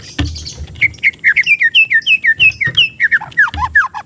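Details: Untrained young magpie-robin, a caged bird at a market kiosk, singing a rapid run of clear whistled notes, many sliding downward, about three per second with little pause; low rumbling background noise.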